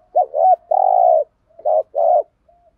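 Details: Decoy spotted dove coo in the 'thúc gù' luring style: a wavering short note, a long level hoarse coo, then a brief pair of rough notes, low-pitched and clean.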